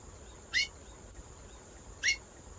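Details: A female chestnut-bellied seed finch utters a pair of crisp rising chips about one and a half seconds apart, with low steady hiss and a faint unbroken high tone behind them.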